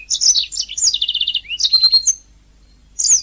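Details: {'caption': 'A canary sings for a training master recording: a dense burst of high chirps and a rapid rolling trill, a rising note, then a short pause before a final chirping burst.'}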